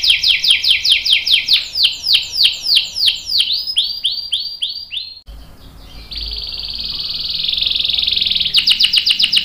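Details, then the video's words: Canary singing a long roll used as a master song for training young and adult canaries: a run of quick downslurred notes, then a sustained buzzy high roll, ending in rapid clipped notes. "KENARI GACOR NGEROL PANJANG bagus buat pancingan dan masteran kenari paud dan dewasa"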